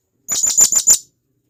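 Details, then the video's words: Single rapid string of five penetrating, high, squeaky chips from a wild blue-crowned hanging parrot calling to its companions. "Serindit Gacor,Masteran Burung Serindit Ampuh"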